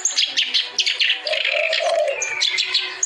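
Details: Clamorous reed warbler, known locally as kerak basi, singing vigorously: a dense stream of harsh, chattering and scratchy notes mixed with higher whistled chirps, with a lower warbling phrase near the middle.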